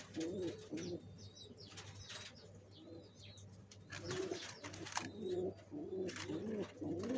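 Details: Pigeons building a nest for laying eggs: low, throaty cooing phrases rise and fall in bursts, mixed with clicks, rustling and scattered higher chirps.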